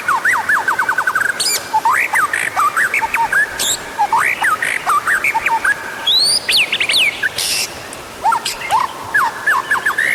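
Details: White-rumped shama song used to prompt other birds to sing: long rich medley of whistled slurs, quick trills and sharp high notes, delivered almost without pause.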